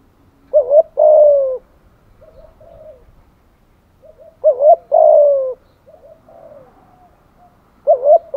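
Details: Spotted dove used as a lure, giving two-part coos: a short rounded note followed by a longer rough falling coo, phrases repeated about every four seconds with soft low murmurs between.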